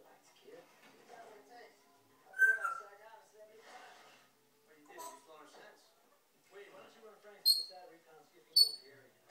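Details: Three-year-old pet African grey parrot talking indoors with its owner: speech-like mimicked phrases interwoven with a human voice, ending with two short, sharp, high-pitched whistles about a second apart.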